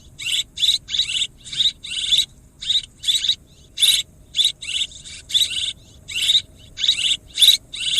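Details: Repeated short twittering bursts of swiftlet calls, nearly two per second at an irregular pace, shrill and chattering, with faint low background noise.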